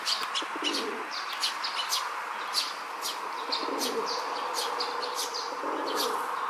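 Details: Male rock dove in a city park, puffing out its throat while courting a female; low, soft rolling coos come in short bursts, over frequent high chirps from other small birds and a steady background hum.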